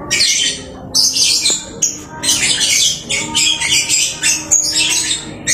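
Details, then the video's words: Busy song of a home-kept lovebird: almost continuous harsh, buzzy high chatter in long rasping runs broken by a few brief pauses, with one sharp click partway through. "Burung Lovebird rajin kicau"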